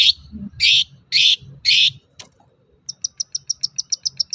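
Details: Long-tailed shrike song used as a lure to prompt other shrikes to sing: four harsh, buzzy bursts, a brief pause, then a quick run of about a dozen short, high ticking notes.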